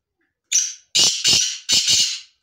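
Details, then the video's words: Tame black francolin (kala teetar) calling: a short harsh note, then three loud, grating, buzzy notes in quick succession, all in a high rasping register, with silence between them and no other sounds. "کالا تیتر کی آواز"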